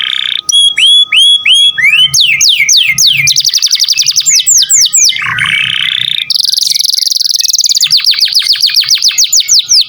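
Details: Canary in full song, a recording meant for training other songbirds: rapid series of high whistled downslurs, fast buzzy trills and rolling phrases changing every second or two, with a faint steady tone underneath.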